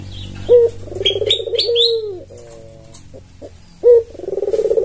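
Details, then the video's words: Tame albino Barbary dove, red-eyed, kept as a lure, uttering a quick upward note and a rolling purred coo that trails off, then repeating; a small bird chirps several times over the first call, low hum throughout. "Burung puter putih suara khas"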